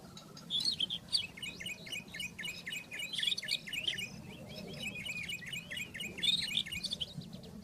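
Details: Rufous-tailed scrub robin singing in the wild: a long, varied run of high, quick chirps and slurred whistles, phrases tumbling over each other without pause, over a low background hum.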